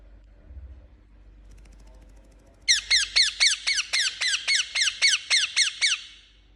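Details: Indian ringneck parakeet kept as a pet, giving a fast series of about twelve sharp, bright chirps, each a quick descending note, repeated steadily for three seconds after a quiet start with faint room noise.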